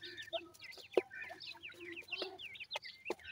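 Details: Francolin (teetar) chicks calling: a quick run of thin, high peeping notes, many sliding down or up, overlapping from several birds, with scattered sharp knocks and taps between them.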